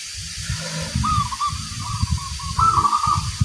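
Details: Perkutut, the local zebra dove, delivering its booming 'kung besar' song: a wavering trilled coo running on and rising slightly near the end, over a rough low rumbling background.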